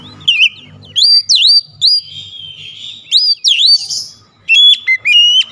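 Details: Oriental magpie-robin in high-excitement song: deep V-shaped swooping whistles, a short rough burst, then a quick series of sharp clipped notes with bright overtones, over a faint low background hum.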